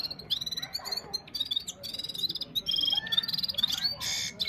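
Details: Red-fronted serins, one singer versus five in a step-by-step singing session, phone recording: dense stream of high, buzzy, tinkling notes and quick trills, with sharp rising whistles near the end and constant low hum.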